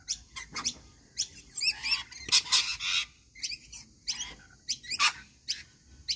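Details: Rainbow lorikeets calling during their daily feeding: busy, overlapping high screeches and chattering squeaks, with a few harsh noisy rasps, several birds seemingly calling together in quick irregular bursts.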